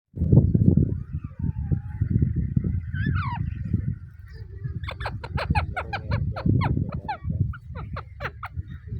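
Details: Pet green Rose-ringed parakeets (ringnecks) give a falling whistle, then a quick run of harsh, screechy notes, over a heavy low rumble of handling or wind.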